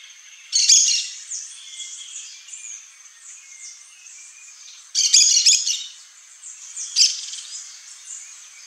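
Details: Three separate shrill, grating chatters from a pair of Yellow-chevroned Parakeets, spaced a few seconds apart, over a steady high-pitched insect-like background trill.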